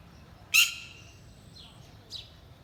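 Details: Mother bird guarding her young gives one loud, harsh squawk, followed by two quieter, short downslurred notes a second and more later.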